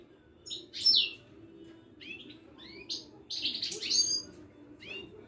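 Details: Moroccan Widani European goldfinch, caged, at a Casablanca bird market. Clear sharp twittering song: bright chirps, short rising slurs and a buzzy, tinkling cluster, delivered in quick separate bursts.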